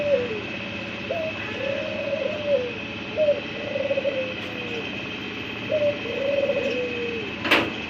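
A white dove gives soft, low, rolling coos in three bouts about two seconds apart, each rising briefly then falling; a steady indoor hum and a click.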